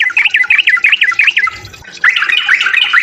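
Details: Yellow-vented bulbul fighting song to provoke rivals: a quick run of bright, rolling chirped notes, a short pause, then a dense, excited chattering phrase.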